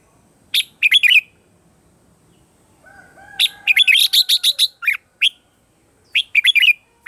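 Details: Red-whiskered bulbul in morning voice training, singing bursts of rapid, sharp chirping notes in quick clusters. A faint, low, drawn-out call from another bird is heard in the middle between the phrases.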